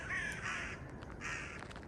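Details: Many crows circling and calling over the remains of an estate in Korobkovsky garden, Moscow: two bursts of rough, grating caws, each about half a second long, separated by a short gap, with faint outdoor background.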